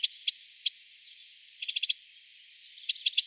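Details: A Eurasian wren (Troglodytes troglodytes) gives alarm calls: hard, dry ticking, first singly, then a quick burst of five, then three more spaced ticks.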